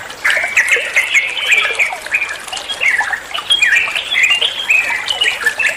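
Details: Trucuan, the yellow-vented bulbul, singing for other songbirds to learn from and answer: loud squawky chatter mixed with bright looping whistles, delivered in quick continuous phrases after a short quiet start.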